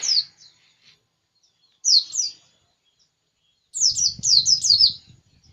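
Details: White-eye singing eagerly: a high sweet slurred note, a pair of quick descending chirps, then a fast run of five or six bright chirps over faint low rumbling.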